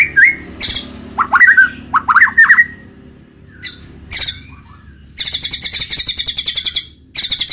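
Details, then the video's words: White-rumped shama (murai batu) singing in the roll tembak style: sharp whistled notes rising and falling near two kilohertz, a short pause, then a fast run of harsh repeated high notes with buzzy bursts. "muraibatu roll tembak ajib bikin lawan naik emosi dan ikutan gacor"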